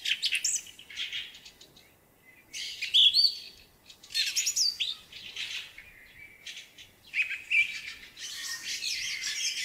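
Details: Song thrush singing in spring: separate bursts of scratchy, chattering notes mixed with short clear whistles, spaced by gaps of about a second, with light background hiss.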